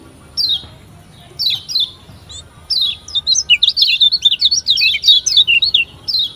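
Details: Lemon-bellied white-eye (kecial kuning) from Lombok, a lure song played to get beginner birds singing quickly: high thin downslurred chips, spaced at first, then a rapid tumbling twitter of sharp notes, with faint background hum.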